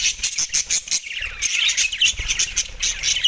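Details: Several Australian budgerigars at soft food on December 4, 2023, giving busy, high-pitched chirps and warbled twitters in quick bursts, the chatter thickening after the first second with faint low rumbling below.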